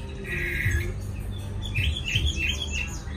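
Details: A newly arrived caged Chinese hwamei in Hanoi, Vietnam, kept as a songbird. It gives a brief bright phrase, a pause, then a run of quick whistled notes, over a loud steady low hum.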